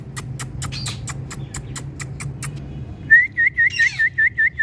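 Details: Female Indian ringneck parakeet, a talking pet, giving a fast train of clicks, then seven short bright whistled notes in quick succession with a squawk among them, over a low hum.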